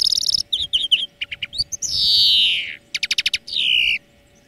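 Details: Greenfinch training song: dense, fast twittering and chattering notes, a long wheeze falling in pitch, a quick burst of evenly spaced trill notes, and a final descending buzzy wheeze.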